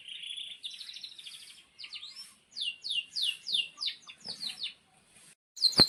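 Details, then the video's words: Canary singing for young canaries to learn from: soft buzzy trill, then a series of quicker downslurred notes, a pause and a sharp click at the end. "Kenari GACOR PANJANG INI Cocok untuk Masteran KENARI PAUD dan Kenari Macet BUNYI"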